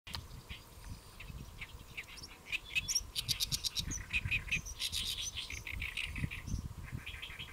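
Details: Great reed warbler perched on a lotus leaf at Saemangeum, Gimje, Jeollabuk-do, South Korea, 1 July 2024 around midday; harsh, chattering phrases of rapid grating notes, some repeated in quick runs, with a low rumbling background.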